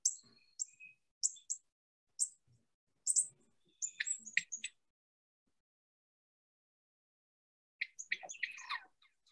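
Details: Northern Cardinal in central Alabama giving sharp, high, metallic chip notes, single or in quick pairs at irregular intervals, then a closer burst after a pause; the chip carries well though not particularly loud.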